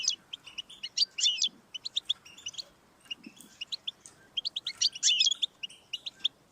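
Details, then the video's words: European goldfinch song meant to get a pet goldfinch singing: rapid tinkling chirps in clusters with rolling buzzy trills, a brief pause, then renewed lively twittering. "Audiorecordings of the goldfinch to stimulate birdsongs"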